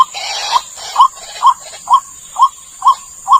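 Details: White-breasted waterhen call played as a lure for catching the bird: a noisy opening burst, then short mid-pitched notes repeated about every half second, over a steady high electronic whine.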